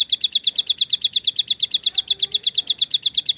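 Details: 'Tembakan' variation from a Javan sunbird: bright, high, staccato notes fired in a regular rapid run, close to three each second, against a quiet background.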